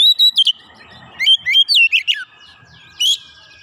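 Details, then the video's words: Oriental magpie-robin answering insistently with its learned fill-in song: a clear level whistle, then clipped chirps and rapid bright notes that step downward, a long faint held tone, and one last sharp upward chirp. "Kacer langsung nyaut ngotot bongkar isian"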